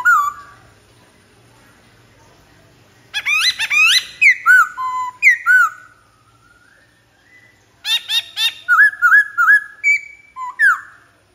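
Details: Black-throated laughingthrush song in two bursts after a near-silent start: fast strings of clear whistles and slurred notes, with a pause between the bursts.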